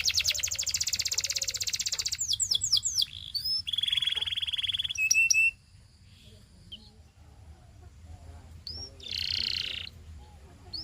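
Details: Canary singing a training song: a dense, fast high rattle-trill, then separate downslurred whistles, a steady buzzy roll, and sharp upswept notes, followed by a quieter pause and a brief burst of buzzy trilling.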